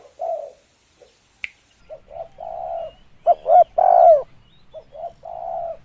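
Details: Spotted dove voice for luring: scattered short coos and a click, then a loud sequence of two quick notes and a long, strong, downward-bending coo, followed by softer short and long coos.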